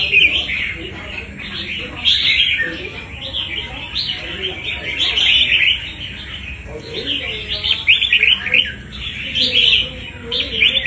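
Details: Fighting-quality wild-caught red-whiskered bulbul delivering lively, jumbled chattering phrases of sweet slurred notes, loud bursts spaced a second or two apart, faint voices low in the background and a steady high whine.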